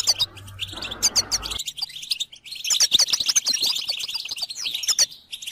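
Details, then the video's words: Goldfinch singing on a training recording for songbirds: rapid chirps and liquid twittering phrases with sharp high notes, briefly masked by background noise at first, then clear, ending in a thin trill. "Motivational tones must be available on your phone for your goldfinch to sing"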